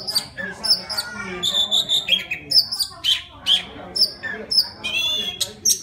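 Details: A wild white-rumped shama sings to call a female: loud bright whistles, quick repeated chips and short buzzy trills in quickly changing phrases, several notes per second, a soft low drone behind.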